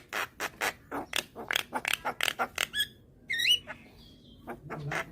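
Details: Young white-eyed Javan myna calling eagerly with its nodding call, used to lure hybrid mynas: a fast run of about a dozen short harsh clicking bursts, then a brief twisting whistle and a few more rough notes.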